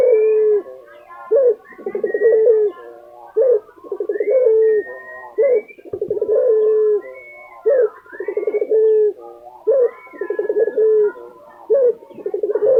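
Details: Steady calling from a lutino Barbary dove kept in Indonesia: six or so evenly spaced phrases, each opening with a short rising syllable and rolling into a vibrating, level coo. Faint high notes sit in the background.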